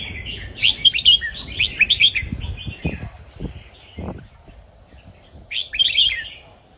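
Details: Indonesian-type red-whiskered bulbul delivering southern folk-style song used for tutoring young birds. Quick clusters of liquid, chirpy whistled notes come in bursts, pause, then return near the end, with some low thumping noise underneath.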